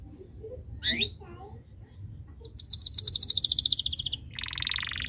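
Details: Canary in full 'gacor' song, meant to provoke rivals into singing too: a few soft chirps, then a fast rolling trill of rapid repeated notes sliding to a buzzier high roll, over a low indoor hum.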